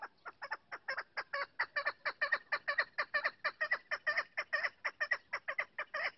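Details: A female chukar partridge gives a long, steady series of harsh chuck notes, about two per second, loud and evenly spaced throughout, with no other sounds.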